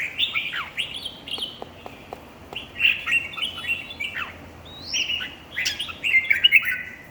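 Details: Competition singing by red-whiskered bulbul: bubbly, warbled phrases with sharp rising and falling slurs, punctuated by a few dry clicks early on, and a brighter, rapid chatter toward the end.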